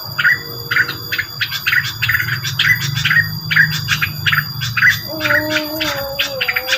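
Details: Rengganis bird lure sound: rapid, chattering bursts of high, scratchy notes, about two per second, over a low hum, with a steadier lower whistle entering near the end.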